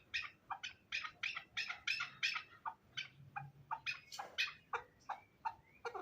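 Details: Hybrid fighting chukar partridge: a steady run of short, harsh chuk notes, roughly three per second, several ending in brief upslurred whistles, over a faint low background hum.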